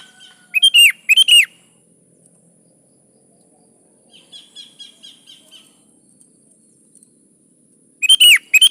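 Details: Sooty-headed bulbul (kutilang) singing energetically, used as a lure for other kutilang: two loud, bubbly whistled phrases at the start, a soft run of quick twittering notes in the middle, then another loud burst at the end.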